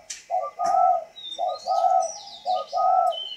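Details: Tame spotted dove, northern Vietnam 'thunder voice' style, cooing in paired low notes, a short note followed by a drawn-out purring one, repeated three times, with light whistling and high chirps in the background.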